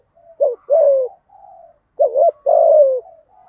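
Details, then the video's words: Spotted dove used as a lure bird, thổ thúc gù style, calling to provoke wild birds; short note and drawn coo, a quiet soft coo, then a wavering double note and long falling coo. "cu gáy giọng thổ THÚC GÙ, chim cu gáy kích bổi"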